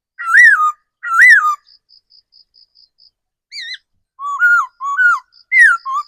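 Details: Decoy laughingthrush in forest whistling two loud arched notes, then a pause with a high ticking pulse repeated evenly, followed by a higher warbled note and several lower slurred whistles.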